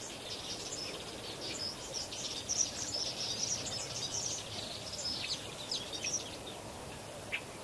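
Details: A large flock of lesser flamingos at Kamfers Dam, Kimberley, South Africa, keeps up a steady, high-pitched babble of overlapping chattering calls over a constant background hiss.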